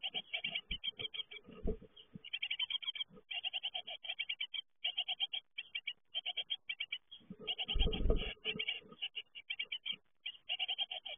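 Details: Nearly continuous chatter of rapid, scratchy high notes from fledging great tit chicks, overlaid by repeated low thuds and rumbling movement noises.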